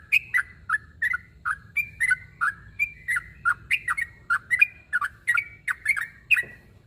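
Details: Sooty-headed bulbul calling a rival with an even, rhythmic string of short whistled chirps, about two each second, alternating slightly higher and lower notes.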